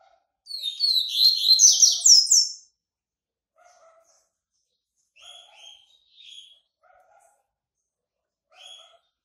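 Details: White-breasted yellow-bellied seedeater coming out of moult, singing one loud, rapid, buzzy twittering phrase of about two seconds, followed by quieter short chirped phrases spaced a second or so apart.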